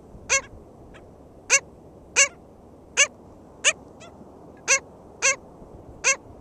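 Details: Black skimmer at its nest, St. George State Park, Florida, 22 June 2013, giving loud, clipped, nasal barks, about eight in six seconds at a fairly steady pace, with a couple of fainter notes between them and a quiet background.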